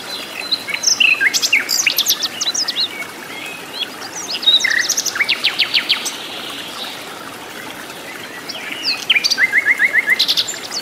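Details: Flycatcher (sikatan londo) singing lively in the wild: bursts of fast, high rattling trills and sharp chirps come in groups, then pause, then return. A faint hiss like flowing water runs underneath.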